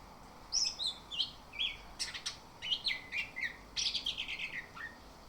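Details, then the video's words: Morning lure song of an orange-headed thrush, meant to make other birds sing steadily: a busy run of quick chirped and whistled notes, many brief bursts close together, with a lower slurred note at the close. "Pancingan Anis Kembang agar cepat ngerol dan ngemplong di pagi hari"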